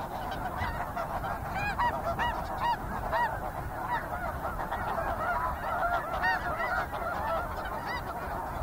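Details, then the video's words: Snow geese in a fairly busy flock, many overlapping nasal honks with stacked harmonics, some rising and falling, tumbling together in a steady chorus. "Snow Goose. Fairly Busy Calling From Flock."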